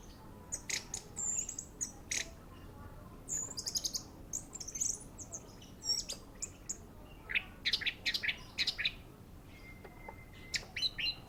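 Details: Orange-headed thrush song in quick high bursts: sharp chips, buzzy trills and brief whistled slurs in clustered phrases separated by short pauses, over a quiet background.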